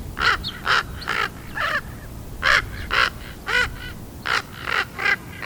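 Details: A 13.5-week-old baby raven learning to use its voice gives harsh, hoarse caws and gurgling, bent notes, about a dozen in five seconds at an uneven pace, over a faint low rumble.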